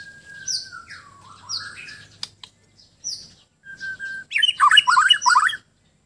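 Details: White-rumped shama of Sabah, Borneo, singing at ease: high downslurred whistles and a long level note, a sharp click, then a fast, rolling run of bubbling, chattery notes before silence.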